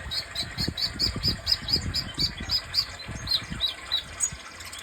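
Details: Sunbird (kolibri dada merah) repeating a short, high, piping note about four times per second in an even series, with low thumping handling noise underneath.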